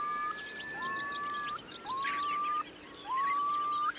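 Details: ['Part of a flock of some 3,000 Eurasian curlews sheltering in wet meadows at Marquenterre, Bay of Somme, France, during a strong high tide in October 2021. Slurred upward whistles come roughly once a second over softer chatter from the flock.']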